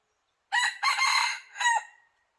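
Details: Decoy red junglefowl cock crowing while trying to draw in wild birds that stay away: a single hoarse crow in three parts, brief opening, drawn-out rasping middle, dropping last note.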